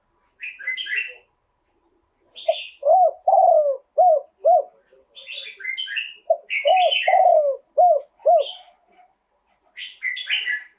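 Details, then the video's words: Spotted dove singing live in the 'throw two kuk' style. Two phrases of low mellow hooting coos, each with a longer sliding note, are interleaved with higher chattering chirps from other birds. "โยน 2 กุก คารมเด็ด เสียงนกเขาใหญ่ ขันสด"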